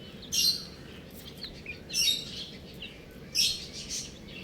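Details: Shrill, brief peeps from a group of baby buff chickens arrive in three bright bursts about a second and a half apart, with softer chirps between them against a faint low rumble.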